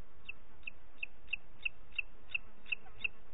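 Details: In Parc Natural dels Ports on 30 June 2021 at 11:01, a booted eagle repeats crisp, short high notes at an even pace of almost three per second, with muted low background rumble.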